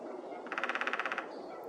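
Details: Male Downy Woodpecker hammering to test a tree in spring, Whitemud Creek Valley, Edmonton, Alberta, Canada: a quick burst of about a dozen rapid, evenly spaced knocks lasting under a second, over soft background ambience.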